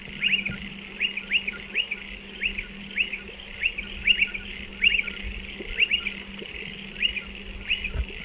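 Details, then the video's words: Striated pardalotes calling around their nest burrows in a dry stone wall. Brisk, high upslurred chips come in quick irregular series, roughly one to two per second, with a steady low hum underneath. "Striated Pardalote calls"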